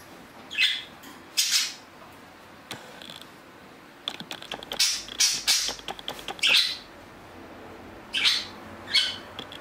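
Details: Pet budgerigars, two of them four years old as of June 10. Scattered bursts of scratchy, high chirps with pauses between them, alongside clicking and tapping noises.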